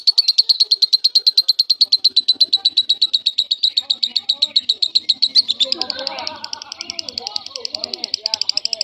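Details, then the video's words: Lovebird in semi-konslet style song as a tutor for other lovebirds, delivering a long rapid trill of high chirps about eight per second, joined midway by lower chattering twitters and busier overlapping notes. "Burung Lovebird semi konslet gacor cocok banget buat masteran semua burung Lovebird"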